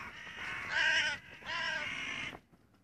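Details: A crow on 25 June 2017 uttering two drawn-out, hoarse caws of about a second each, the first louder and rising in strength, in quiet surroundings.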